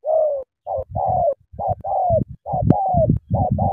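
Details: Energetic spotted dove from Cà Mau: long falling coos alternating with short clipped notes in a fast run, over a background of low knocks and rumble.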